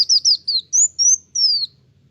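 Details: Sunbird (kolibri wulung) singing energetically, said to provoke other birds: a run of short, very high whistled notes, each sliding downward, then longer thin drawn-out whistles, about seven phrases within two seconds.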